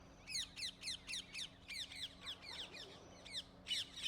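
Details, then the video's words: Rose-ringed parakeets in Gurugram, India, captured with a camera's built-in microphone: a rapid series of harsh, downward-sweeping screeches, roughly four per second, shrill and high, over a low steady hum. "Nikon Z6 II in-built mic audio test with cheeky rose-ringed parakeets"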